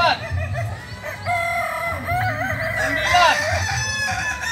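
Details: Crowing kukuak balenggek rooster at a training competition, giving a long stepped crow of several bouncing, undulating notes that climbs near the end, over a steady low rumble and crowd murmur.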